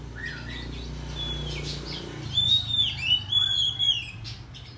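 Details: Agitated Oriental magpie-robin singing in the morning: faint chirps, then clear, level, drawn-out high whistles with slight downward slurs, over low background rumble.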